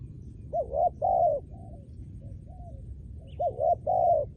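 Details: Trained spotted dove kept as a decoy bird for luring, giving two phrases of mellow hooting coos, each a quick double note followed by a longer drawn-out coo, with a softer coo between phrases over low background rumble.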